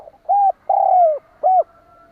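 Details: Lure call of a spotted dove kept as a decoy: a smooth hoot, a long purring coo drifting downward, and a final hoot, the phrase trailing into a faint thin tone.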